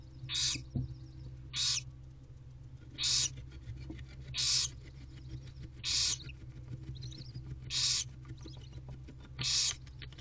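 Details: Barn owl owlets, five young in a nest box with their mother, filmed 12 April 2023 at 10:15 am; harsh broadband hissing screeches of about half a second, repeated roughly every one and a half seconds over a steady low hum.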